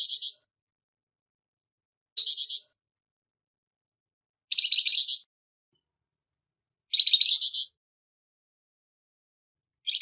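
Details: Flamboyan bird, harsh call material for training songbirds: five short, grating bursts of quick pulsed notes about two seconds apart, some brief and some nearly a second long; nothing else heard.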